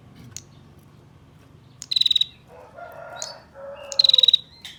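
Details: Female bar-winged prinia giving its ngetir call, used to lure males into calling: two dry, rapid ticking trills of about ten clicks each, high-pitched and level, with softer lower twittering and buzzing between them.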